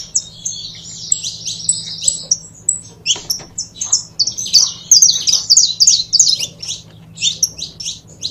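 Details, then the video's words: Saffron finch pair kept in captivity: buzzy high twittering at first, then rapid repeated sharp chirps, about three per second, strongest in the middle; faint low hum throughout. "Casal de Canário da Terra Bom Para Foguear!!!"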